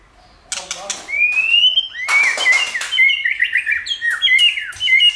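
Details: White-rumped shama song used to stimulate singing: several loud clicks, then a smooth rising whistle followed by rapid, choppy warbled phrases of whistles and short slurs.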